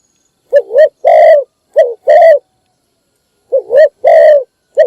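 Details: Decoy spotted dove calling in the morning to attract other birds. Two pairs of coos, each a short wavering note then a long mellow one, then a pause and another pair.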